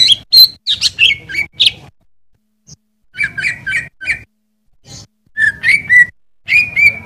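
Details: Greater Green Leafbird master song for cage birds: high, sharp chattering whistles, a short pause, then groups of repeated mid-pitched notes and sliding whistled phrases.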